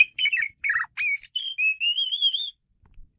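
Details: Asian pied starling pouring out a continuous phrase: chattering warbled notes, a sharp upward squeal, then a long, steady, slowly rising whistle.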